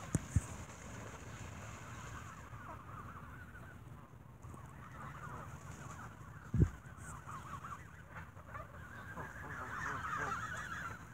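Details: Geese fed bread in the evening, squabbling over it; softer jumbled honks build toward the end, broken by a few sharp knocks and thuds.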